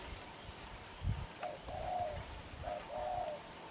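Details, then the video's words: Young newly caught black-eyed spotted dove cooing hard in the style called đập gù: two soft, low, hollow coo phrases in the second half, after a dull low thump, over faint background hiss. "Bổi Tơ mắt đen, đập gù quá dữ chim"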